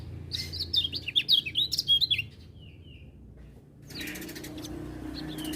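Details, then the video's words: Lemon-bellied white-eye (kecial kuning) in song while other birds join in; a fast rising and falling string of sharp whistled chirps, a soft trailing note, then a noisy rustle. "Kecial Kuning Gacor Dengar Suara Kecial Kuning Ini Burung Lain Pada Ikut Bunyi"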